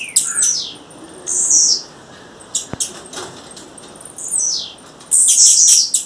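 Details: Female blue-black grassquit calling in the wild: high, harsh buzzy bursts of about half a second, arriving irregularly, the longest near the end, separated by quiet gaps with a few faint ticks.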